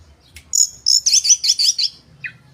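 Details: Oriental magpie-robin, played as a lure to provoke rivals, gives a quick string of about seven high, twisting whistled notes in under two seconds, ending with one lower slurred note.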